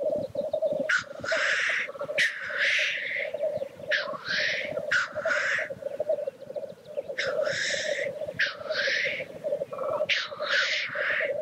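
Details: Lekking black grouse: an unbroken murmuring, bubbling coo forms a low backdrop while about seven loud, explosive hissing sneezes burst out in quick succession.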